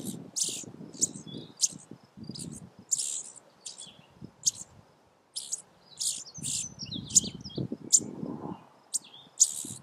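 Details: Indigo bunting fledglings at a nest in a Vermont front yard, one already out of the nest and three still in it, give sharp, very high chip notes in quick bursts while being fed, over low rustling and handling sounds.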